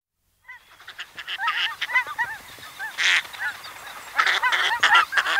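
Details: Northern pintail flight calls, heard at a distance, from a female being pursued by males: many overlapping short, bent, honking notes mixed with harsh cackling bursts, rapid and irregular throughout.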